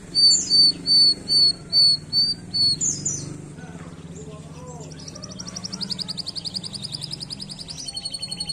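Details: Canary song beginning with a string of loud, evenly spaced pure whistles, then quieter warbling before a long fast buzzing trill of rapidly repeated notes to the end; low hum beneath.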